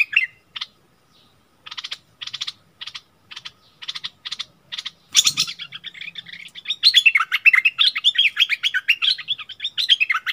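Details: Kept bulbul dueling fiercely with a wild bird, neither giving way, recorded 27 March 2021: evenly spaced bursts of short chattering notes, then a dense rush of overlapping scratchy twitters.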